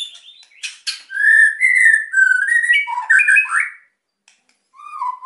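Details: White-rumped shama in emotional song meant to provoke silent birds: long mellow whistles rising in steps, a burst of harsh warbling, then a short falling whistle after a pause.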